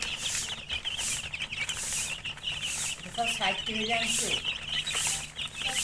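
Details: A crowd of chicken chicks keeps up steady, high-pitched peeping, many overlapping chirps in quick succession; a short stretch of human talk intrudes near the middle.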